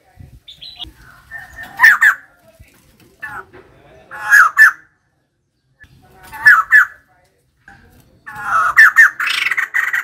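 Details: Female white-crested laughingthrush giving short squawky phrases, each a quick cluster of harsh notes, roughly every two seconds with quiet gaps between.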